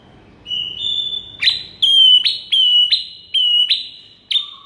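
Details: Tutor song of a white-rumped shama, meant to make other shamas respond: high, pure whistled notes open the passage, then a run of loud, sharply attacked whistles follows, each held briefly and slightly falling, repeated at uneven intervals.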